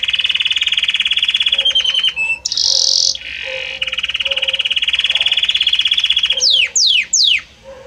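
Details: Belgian canary song with many different notes: a long low rolling trill, short high buzzy bursts, a return to the rolling trill, then three sharp descending sweeps before fading.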